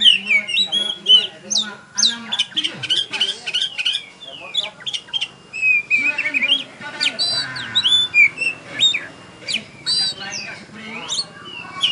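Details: Champion oriental magpie-robin (kacer) singing at a bird contest in Tebas: loud, varied whistled phrases, rapid chirps and sweeping slurred notes in dense overlapping bursts, with other birds and crowd murmur beneath.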